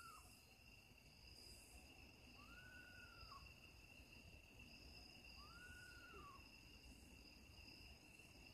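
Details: Eastern screech owl in a back yard just after sunset, giving three soft, arched, quavering whinnies about every two to three seconds over steady high insect trilling.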